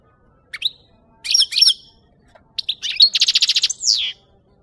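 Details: European goldfinch song, used as a lure for capturing birds: bright twittering phrases with sharp tinkling notes, then a fast buzzy trill of evenly repeated notes ending in a falling slur.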